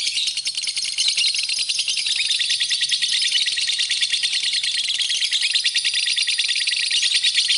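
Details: High, buzzy lovebird chatter used as a master recording for teaching other birds, a steady rattling stream of shrill pulses at roughly three per second, unbroken from start to finish.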